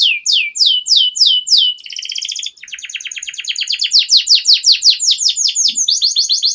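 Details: Long continuous canary song played to coax young birds into singing: a run of falling whistled notes, a brief dense buzzing roll, then a steady train of sharp repeated chips about three per second.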